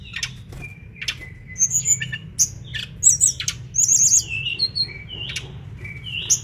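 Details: Tledekan bakau, or mangrove blue flycatcher, singing energetically for a tutor recording: clear level whistles alternate with sharp clicking chips and short trills, spaced out over a steady low hiss.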